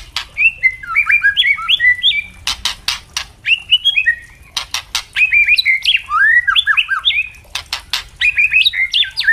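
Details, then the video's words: White-rumped shama song in a ringing, open style, from young and adult captive birds, used for training: rich varied whistled phrases that jump up and down, broken by loud dry clicking bursts between phrases. "Murai trotol pasti gacor dan murai batu pastol bunyi ngeplong"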